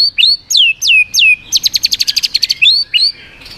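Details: White-rumped shama in swiftlet-ringing song meant to provoke rival birds: four clear falling whistles, then a fast rattling series of about a dozen sharp notes, ending with two rising whistles.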